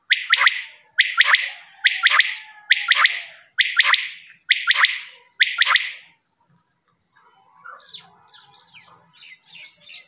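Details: Quail, known locally as lawa, giving a run of seven sharp, harsh, burst-like calls about one per second, followed by quieter scattered chirps and twitters from other birds.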